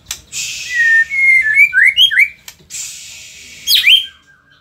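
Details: White-rumped shama from Indonesia giving a sequence of clear rising and falling whistles over a steady hiss, with a sharp high downslur near the end.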